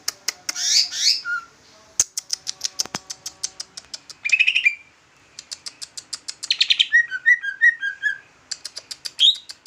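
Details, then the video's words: Large leafbird singing in a style likened to the trucukan: rapid sharp ticking notes and dry buzzy bursts, a short chirpy phrase near four seconds, then a run of slurred whistled notes answered by further quick clicks. "Ci ijo jumbo rasa trucukan ngoceh"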